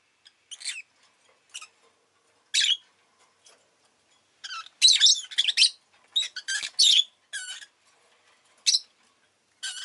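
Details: Rosy-faced lovebird pet chirping: isolated single chirps early, building to a dense run of harsh, chattering notes mid-clip, then occasional sharp calls again.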